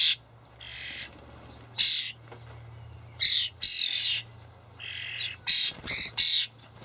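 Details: Begging juvenile common starlings being fed by their parents in a Hamburg allotment garden on 28 May 2012; raspy, noisy squeals in uneven bursts, several in quick succession toward the end, with a low mechanical hum beneath.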